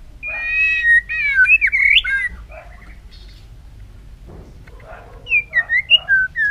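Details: White-rumped shama singing a competition-style song during voice training. Loud, rich whistled phrases slide up and down, with trills and quick notes. A pause with a soft rustle follows, then a second burst of bright, falling whistles.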